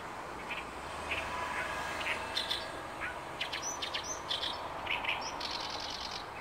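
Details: Oriental reed warbler declaring territory on 28 May 2022 at Inuyama, Japan; varied grating, chattering phrases mixed with sharper high upslurred notes, delivered in uneven bursts over faint background noise.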